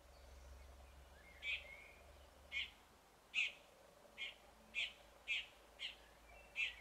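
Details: Red-backed shrike in a showy imitative song, copying other birds: a string of short, sharp, high chips spaced roughly half a second to a second apart, with a few faint warbled notes in between, low hum behind.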